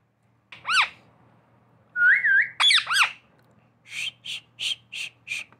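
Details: Talking pet parrot mixing sounds: a loud harsh squawk, a wavering clear whistle, two more raspy squawks, then a rhythmic series of six short pulsed notes, indoors.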